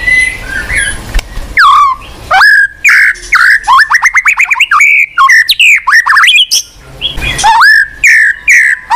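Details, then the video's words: White-rumped shama song used as a prompt for a shama that has stopped singing: loud, varied whistled phrases with rapid rising and falling sweeps, quick trill bursts and sharp notes, delivered in dense runs after a short pause. "PANCINGAN BUAT MURAI MACET | WHITE RUMPED SHAMA SONG"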